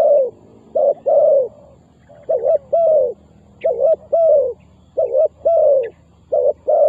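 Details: Spotted dove used as a trapping decoy to draw in wild doves. Mellow low cooing phrases repeat almost without pause. Short doubled coos alternate with longer, slurred notes, roughly one phrase every one to two seconds.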